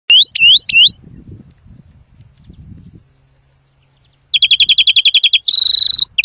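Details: European greenfinch song, a very loud recording used for trapping and song training: three rising whistled notes, a pause, then a rapid dry trill and a harsh buzzy wheeze, ending in a short note.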